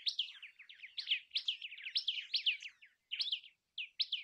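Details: Common tailorbird with busy, high chirping: sharp, slurred notes delivered rapidly in an almost continuous run, broken by two brief gaps near the end.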